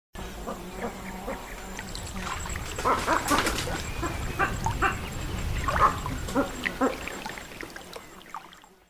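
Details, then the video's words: Boat-billed heron giving rough, duck-like croaks and clattering bursts at an irregular pace, with splashing and trickling water underneath. "Boat-billed heron sound"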